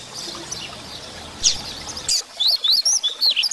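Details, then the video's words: Double-collared seedeater (coleiro) singing a "Coleiro Grego" song used to train and stimulate captive birds: after soft hiss, a fast, high, twittering phrase of quick rising and falling whistled notes. "Coleiro Grego Cantando"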